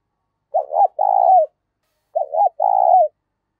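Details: Two back-to-back coo phrases from a spotted dove with a loud, clear 'thổ pha' voice and little noise: a brief broken double note leading into a longer, steady, deep coo that drops off at its close.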